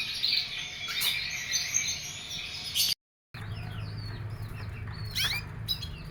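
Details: Caged canary set out in morning sun between 8 and 10 am; bright chirps and quick descending twitters, interrupted by a short gap, over a low steady hum.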